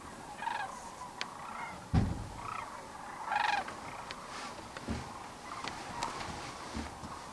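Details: Returning to their evening roost on the Platte River near Kearney, Nebraska, in March, sandhill cranes fill the air with a dense rattling chorus, with several loud nearby calls and a low thump.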